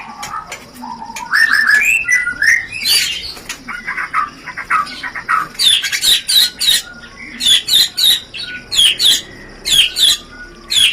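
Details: White-rumped shama 'rencetan' mating-lure song: rising whistled phrases give way to harsh, rattling bursts repeated in quick succession, about three per second, with short gaps between.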